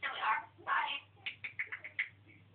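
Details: Pet African grey parrot on a rant: two harsh voice-like syllables followed by a quick string of short chattering clicks and chirps, over a constant low hum indoors.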